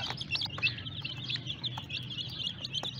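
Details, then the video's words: Flock of colourful baby chicks cheeping nonstop, high-pitched little peeps tumbling over one another in a busy, shrill chatter, with a faint low rumble underneath. "Small cute Hen Chicks - Colour full Cute baby chicks"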